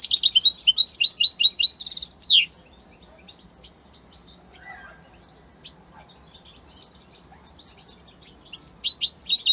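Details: European goldfinch of Italian type: a fast, high twittering phrase with buzzy trills ending in a downward slide, then quiet with occasional faint chirps, and the twittering resuming at the end.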